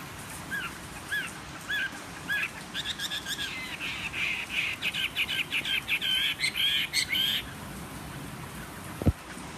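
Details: Wild-caught Chinese hwamei kept caged three seasons as a fighting bird, singing on a table with slight hoarseness: a few spaced rising whistles build into a long, fast, loud run of repeated rich notes, ending with a knock.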